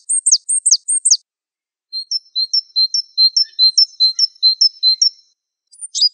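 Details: Wingko-type Java sparrow gives quick high down-slurred chirps, then a steady run of thin, level, whistled notes in pairs, ending with a short burst of sharp high chirps; no other sounds.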